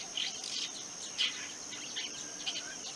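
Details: A long-tailed (rufous-backed) shrike, Lanius schach, gives short, harsh, scratchy scolding bursts at irregular intervals over a steady high-pitched insect drone.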